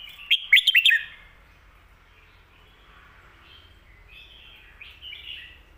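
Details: Red-whiskered bulbul singing a full, well-sung, quick style for teaching young birds: a loud, rapid burst of clear whistled notes at the start, then quieter, softer warbling phrases drifting in over the following seconds.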